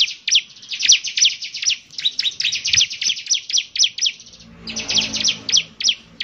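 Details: Bar-winged prinia (ciblek semi) singing vigorously: rapid series of sharp, high descending chirps in quick bursts, a short pause near four seconds, then another fast burst.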